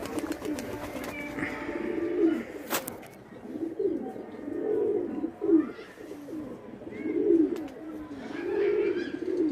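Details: Indian kagzi pigeons at play, giving deep, bubbling coos in swelling phrases about every one to two seconds, with faint higher chirps and a single sharp click.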